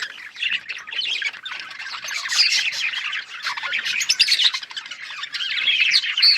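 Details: A flock of budgerigars keeps up a steady, high-pitched chattering warble, with squawky notes and rapid tweets piling over one another.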